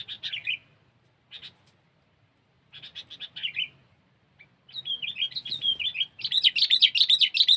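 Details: Sooty-headed bulbul, local name kutilang, recorded for luring birds: bursts of bright, chattering whistled notes in short phrases separated by pauses, ending in a dense run of rapid, warbling chirps.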